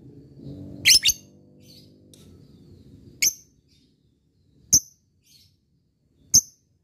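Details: Fighter-type lovebird, described as chattering eagerly while calling to a rival: sharp, shrill chirps, first a quick double burst, then single notes about every one and a half seconds, over a faint low hum at the start.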